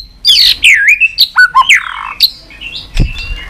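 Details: White-rumped shama giving continuous 'tạch' song, used to rouse a low-spirited shama into singing; loud varied whistled notes sliding up and down, a quick series of short sharp notes, then thinner high whistles near the end.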